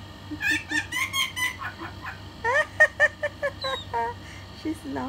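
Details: A female pet talking myna gives a quick run of rhythmic, laugh-like 'ha-ha' notes, some rising, others falling, as she laughs; a person's voice is heard briefly.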